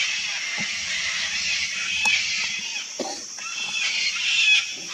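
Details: Harsh, scratchy shrieks from a wild sulphur-crested cockatoo colony run almost continuously, swelling louder toward the end, with scattered low knocks and a steady high insect drone.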